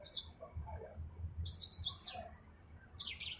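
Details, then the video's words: Short high chirping phrases from a yellow-fronted canary (Mozambique finch), two or three quick twittering bursts with gaps between, over faint low background noise. "Burung Finch Mozambik Afrika"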